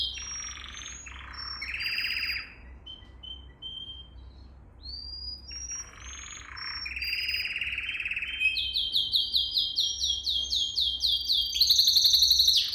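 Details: Canary song meant for training canaries: rolling trills and short whistles build into a long, fast series of repeated sweeping notes and a rapid rattle, with a faint low hum underneath.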